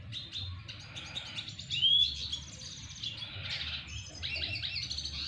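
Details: Double dilute red siskin practising courtship song toward a female: a busy stream of high chirps and twitters, one clear upward-swept whistle near the middle, over a faint low hum.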